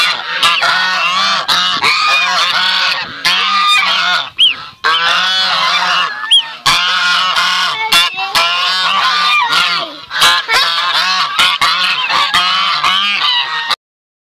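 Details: Sebastopol goose calling alongside its goslings: loud, rasping, nasal honks in dense overlapping runs with brief gaps and short sharp clicks between bursts, ending abruptly.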